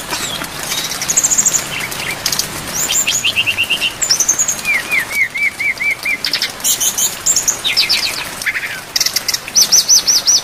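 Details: Brown-chested jungle flycatcher tutor song with many fill-in phrases and rain: bright twittering bursts, a descending string of slurred notes, then a fast, even high trill, rain steady underneath.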